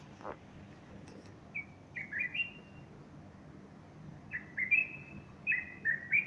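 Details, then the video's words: Male bulbul singing on a Sunday morning, 30 August 2015, with a female standing beside him fluffing her feathers; after a faint tap, two bursts of short, clear whistled notes, rising and falling, over low background hum. "البلبل يغرد صباح الأحد30أغسطس2015"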